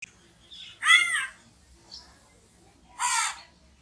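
A crow gives two harsh, ragged caws about two seconds apart, each lasting under half a second, with a faint softer note between them.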